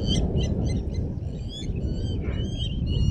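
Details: Nest-defending blacksmith lapwings at Djuma Private Game Reserve give hard, tinny, metallic notes in quick irregular runs, backed by a constant deep rumble.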